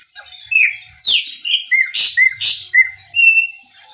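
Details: Chopi blackbird singing a lot in the maranhãozinho song style: a loud, quick run of clear whistled notes, several sharp upslurred and downslurred phrases and buzzy bursts, over a dense background chorus of other small birds.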